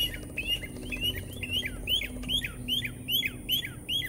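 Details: Mockingbird in Americus, Georgia, repeating one sharp downslurred chirp about twice a second, each note dropping quickly in pitch, in a fast steady series over faint background hum.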